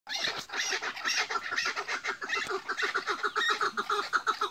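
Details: Chukar partridges on a rooftop in a calling contest trade loud, rhythmic clucking chuk-chuk calls that speed up into a steady, pulsing series.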